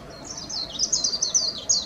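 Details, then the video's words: Japanese white-eye giving a brief burst of very high, thin twittering notes that waver and slide downward, run closely together over under two seconds against quiet background hiss. "メジロ - Zosterops japonicus (Japanese white-eye)"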